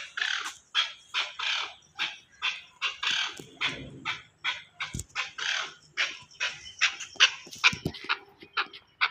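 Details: Chakor, the Chukar partridge, in Pakistan: a long series of clucking, raspy notes repeated roughly twice a second, rising and falling slightly in loudness, with a faint low hum in the background.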